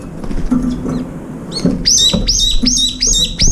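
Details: Brown-eared bulbuls visiting a window feeder to eat, two or three gathering around the food bowl; after a quieter start with low clatter, a run of five sharp, high, down-hooked squealing notes repeats roughly twice a second.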